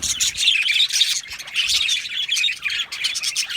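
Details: Australian budgerigars in an aviary colony keep up a continuous, busy warble of high twittering and rapid chirps, many birds overlapping without pause.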